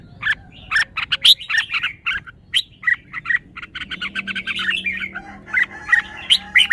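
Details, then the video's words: Red-whiskered bulbul showing its phrasing: a steady stream of short, sweet chirps and whistles, several overlapping, with a faint low hum in the middle. "นกกรงหัวจุก จ้าวมาดี สำนวนดี"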